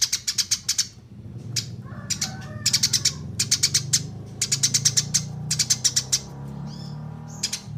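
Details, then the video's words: Eurasian tree sparrow, recorded as training material for songbirds, chirping almost continuously: rapid runs of sharp, high chirps in dense clusters with brief gaps, plus a steady low rumble in the background. "SUARA BURUNG GEREJA JERNIH masteran no 1"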